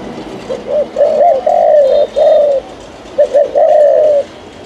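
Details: A captive decoy spotted dove in Phú Yên, Vietnam, cooing after one or two beats and repeating steadily like a machine. It gives low, mellow coo phrases: two short notes leading into longer drawn coos, heard twice.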